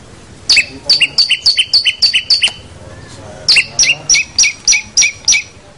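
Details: Master song of a long-tailed shrike for training young captive birds: two runs of sharp, evenly repeated two-part chips, about three per second, separated by a short pause.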